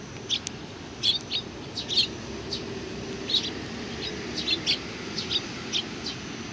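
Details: Welcoming Eurasian tree sparrows, several together on 27 July 2020, give a steady scatter of short high chirps every fraction of a second, some overlapping, over noticeable low background noise.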